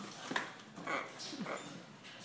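A hyacinth macaw gives a few short, soft, chattering and whining notes, some almost speech-like, in a quiet indoor room.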